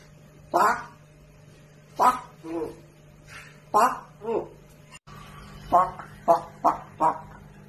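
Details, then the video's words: Pet African grey parrot talking and swearing: about nine clipped, human-sounding words in short bursts, some paired closely together, separated by brief pauses, with a quiet indoor hum beneath. "African Grey Parrot swearing and hates noise"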